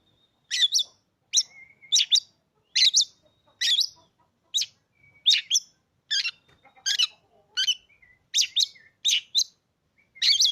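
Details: Oriental magpie-robin kept in a cage, bought three days earlier. It gives a steady series of strident, buzzy chip notes, often in pairs, separated by brief gaps and faint thin whistles. No other sounds are heard.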